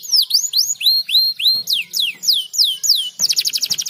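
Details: Canary singing to encourage other birds to sing, with looping whistled notes that sweep down and then up, repeated about three per second, ending in a fast buzzy trill.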